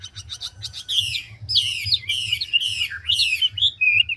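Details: Chinese hwamei, large mature wild-caught bird, singing fast and changing voice constantly: a quick stutter of ticking notes, then strong, raspy, rolling whistled phrases in quick succession and a final clear whistle.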